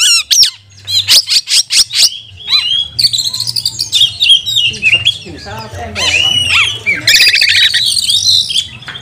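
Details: Oriental magpie-robin in full voice as a lure to provoke other magpie-robins, recorded during lockdown: a fast series of sharp ticking clicks, then a long tumbling medley of whistles, chatters and rasping notes over a steady low hum.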